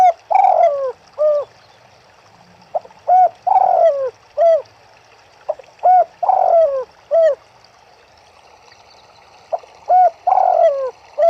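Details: Riverside turtle doves repeat a steady cooing phrase four times: a brief hollow note, a drawn-out falling, quavering coo, then a clipped closing coo, over a faint trickle of water.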